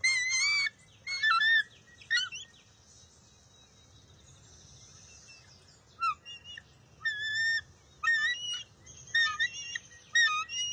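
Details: Bald eagle eaglet in a wild nest, June 23, 2021, competing with its mother for a fish. High chirping squeals come in clusters, separated by a quiet stretch in the middle, with piping notes toward the end.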